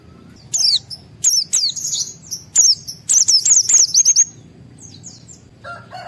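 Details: Highly excited white-eye singing to set off other white-eyes: sharp, very high chirps at first, building into a quick run of shrill descending whistles, then quieter fading notes.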